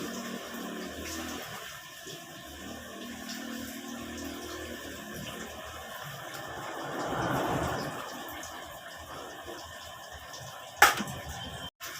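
Steady running water with a low hum and a sharp click near the end; no animal sound.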